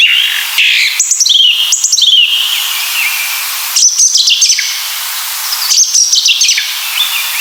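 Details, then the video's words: Flute-like, rhythmic Song Thrush singing: loud phrases of clear, sliding whistles mixed with harsh, scratchy notes, coming in bursts about two seconds apart with short pauses between them. "It's one of those voices that turns a walk in the forest into a professional philharmonic concert."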